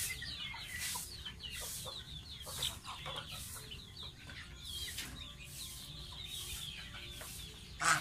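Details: Baby pet domestic goose taking a bath: thin, high peeps sliding downward, repeated in quick irregular runs, over bursts of splashing water.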